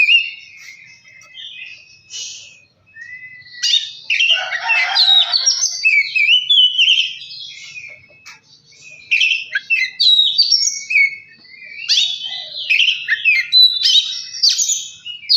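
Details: Kacer song for coaxing lazy birds to sing and become fired up: an Oriental magpie-robin mixes long whistles, harsh scratchy bursts and fast chattering phrases, quiet near the start, then almost unbroken.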